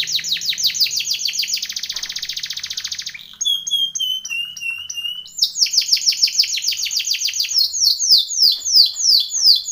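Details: Training song of a Timbrado canary: a rapid pulsing trill that turns into a dense buzz, then a slow series of falling whistled notes, followed by quick repeated syllables growing louder.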